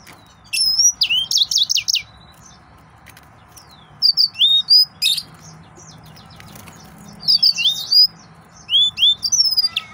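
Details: High, sweet song of an excited male yellow-fronted canary: four separate bursts of quick repeated chirps, rising whistles and short trills, spaced by brief silences over a steady faint background hum.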